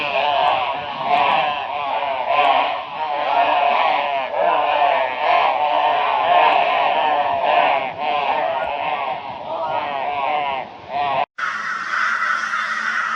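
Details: Flock of crows in Brisbane, Australia, 22 February 2022, mobbing a barn owl with loud raucous calls; dense overlapping harsh caws from many birds continuing without pause, then a brief cut to another burst of calling.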